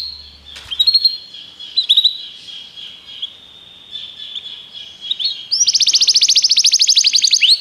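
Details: Belgian canary, training song: soft thin notes and a faint sustained whistle give way after five seconds to a loud, fast rolling trill of rising notes.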